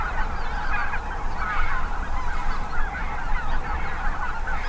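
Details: Migrating geese of five species, chiefly Snow and Greater White-fronted, at North Ottawa Impoundment, Minnesota, on a windy day. Thick chorus of overlapping honks swells and fades in waves while low wind noise rumbles beneath.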